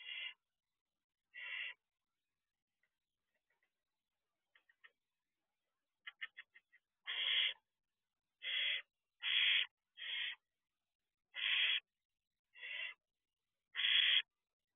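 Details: Barn owl owlets in an owl box, looking out the door at 4:24 am, give harsh, noisy hissing screeches about half a second long, about ten bursts spaced one to two seconds apart with faint clicks between, in an otherwise silent background.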